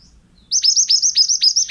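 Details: Male pied bushchat singing, a recording for training other birds: after brief quiet, a fast series of loud, high, hooked chip notes repeated several times per second.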